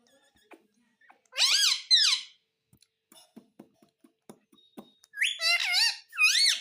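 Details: Pet parrot indoors imitating speech, two loud harmonic phrases of rising and falling syllables, each about a second long, separated by scattered soft clicks and taps.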